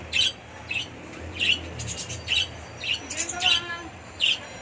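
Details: Budgerigars housed in an indoor breeding colony in Bangladesh: short sharp chirps repeated roughly every half second, with fainter chatter from other birds and a low hum beneath.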